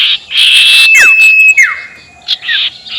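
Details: Sirtu ngekek call meant to rile rivals: harsh buzzy chatter with a long thin level whistle through it, steeply falling slurred notes, then a short buzz burst.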